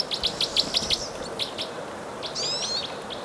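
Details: Red crossbills (Loxia curvirostra) of types 2 and 4 call in Bayfield County, Wisconsin, on 15 March 2018: a quick run of sharp, high kip notes, about eight a second, then after a pause a thinner, twittering burst of higher notes.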